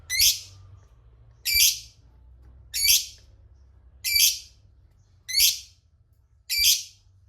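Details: Lovebird giving a ngekek call used as a lure to make rival lovebirds answer: six harsh, high, scratchy squawk bursts, each under half a second, repeated about every 1.2 seconds, over a faint low hum.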